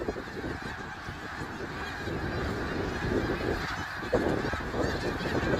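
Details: Snow geese at Middle Creek Wildlife Area on 3 March 2022, a softer, more distant-sounding mass of overlapping honks that grows louder, with one sharp nearby call just after four seconds.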